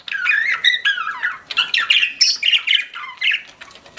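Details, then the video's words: Pet budgies chirping: clear whistled notes sliding up and down, mixed with scratchy squawks and rapid chatter, a few bright higher squeaks, delivered in quick uneven bursts. "CUTE PET BUDGIES CHIRPING"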